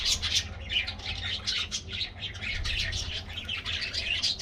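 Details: Flock of budgerigars kept in an aviary, eating a morning treat; rapid high chirps and warbled chatter overlapping throughout, with a faint low hum.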